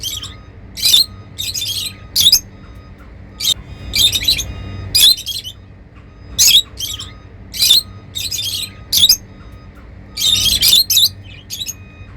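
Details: Happy lovebirds calling indoors: repeated bursts of shrill, scratchy high chirps and squawks about every second or two, in clustered phrases, over a faint background hum.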